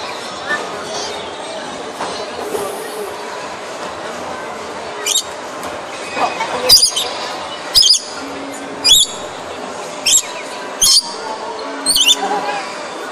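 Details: A captive red lory (Eos bornea) at a bird show gives harsh, piercing screeches, about seven brief shrieks at uneven intervals, over the hum and chatter of a large indoor hall.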